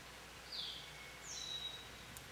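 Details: American goldfinch at a feeder, calling for attention: two thin high whistled notes, a short falling note then a longer drawn-out one, faint against soft outdoor background noise.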